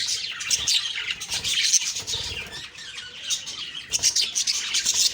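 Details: Budgerigars chirping on the morning of October 2, 2023: a dense, continuous high chatter of overlapping twittering and warbling notes with quick squeaky bursts, swelling and easing without pause, no other clear sounds.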